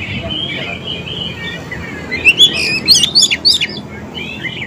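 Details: Oriental magpie-robin lure song meant to make wild and young birds reply: soft whistled warbles at first, then a burst of loud, harsh, rapid chattering notes, roughly three to four per second.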